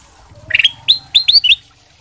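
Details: Ruby-throated bulbul of the 'sutra' type in loud song used to prompt other birds to answer; a short phrase of clear upslurred whistles, spaced then quickened, rising toward the end.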